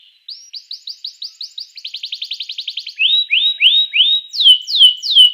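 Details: A canary sings a master song for provoking rival canaries: quick repeated upslurred whistles, a faster clipped trill, then slower loud rising and swooping whistled notes.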